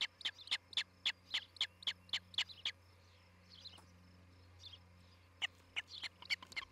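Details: Nest camera near Charlo, Montana, 11 July 2018: an osprey gives a fast series of clipped, high chirps. There is a quiet pause with faint softer notes, then the chirping resumes. A constant low hum runs throughout.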